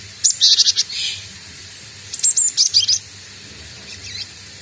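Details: Juvenile cinereous tit practising calls: two bursts of buzzy, high, rasping notes in rapid runs of five or six, a short pause between them, then faint high twitters.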